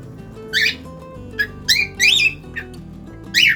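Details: Harsh, buzzy chirps and short rising squeaks from a caged cockatiel, several in quick succession, set against quiet instrumental music.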